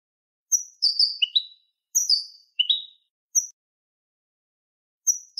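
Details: Domestic canary singing malagueño song for a training recording: separate clear whistled phrases that slide downward, with short pure high notes between them and long silent gaps.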